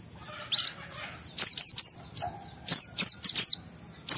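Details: High-spirited white-eye singing in wild style to get other white-eyes to answer: a soft buzzy note, then several crisp bursts of high, downward-sweeping whistles in quick succession, with one short lower whistle between.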